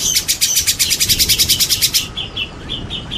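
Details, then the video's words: Champion white-rumped shama with added rain sounds: a fast, steady trill of about twenty sharp high notes over two seconds, followed by spaced, softer whistled notes over a background hiss. "TERAPI MURAI BATU JAWARA"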